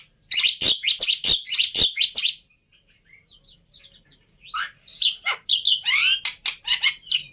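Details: Jalak putih (black-winged myna) lure song: a burst of loud clicking chirps, a quiet lull of soft notes, then downslurred whistles and buzzy phrases.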